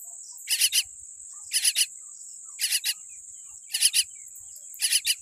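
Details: Tiny common myna chick born with a weak beak: five harsh, raspy bursts, each a quick double rasp, repeated about once a second over a steady high-pitched whine.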